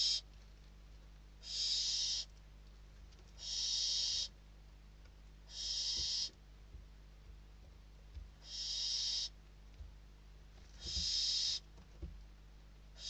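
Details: Hungry barn owl chicks in a nest in Spain after a prey delivery; six rasping hissing screeches, each under a second, repeated about every two seconds over quiet room background with occasional knocks.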